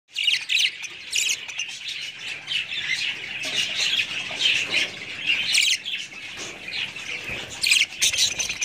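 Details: Budgerigars chattering continuously, with dense warbling chirps and squawks overlapping throughout and a few louder sharp calls near the start and end.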